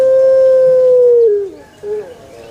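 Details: Male collared dove (puter), used to encourage other doves to call, giving one long steady tonal coo of over a second that slides downward, followed by a short soft rising note.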